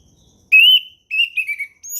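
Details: Orange-headed thrush in ngeplong style, a lure recording for young birds to learn from: a long clear rising whistle, then a run of shorter slurred whistles falling in pitch, ending with a thin high note.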